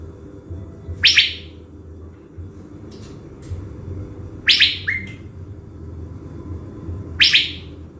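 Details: Caged blue-winged leafbird kept as a decoy in Bình Thuận, Vietnam, readied before a trip to the forest: three harsh, buzzy bursts spaced a few seconds apart, the middle one trailed by a short whistled note, over a low indoor hum.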